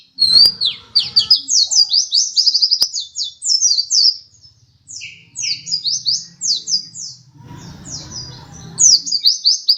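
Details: Second-place champion pleci dakun white-eye in full song: long runs of sharp, high chirps repeated quickly, each note sweeping downward, broken by short pauses, with faint low background hum.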